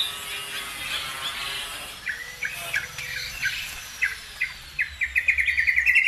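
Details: Lure sound meant to stir other birds to sing: a rhythmic run of short, high chirps that speeds up into a rapid, ringing trill at the end, over faint hiss.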